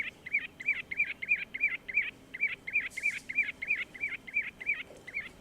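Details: Common Ringed Plover song, a call heard mostly in winter rather than a nuptial call, played at a marsh: short mellow whistled notes, about three per second, in a steady series; a brief hiss partway through.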